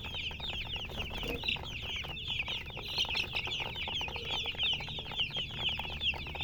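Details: Chicks of the domestic hen giving constant shrill peeps, many birds calling at once in a busy, unbroken flock chorus over low hum.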